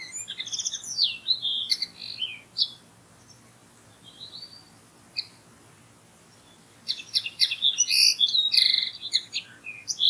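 A common linnet sings in quick bursts of twittering, chirping notes, pausing in the middle, then resuming in a lively jumble of high trills.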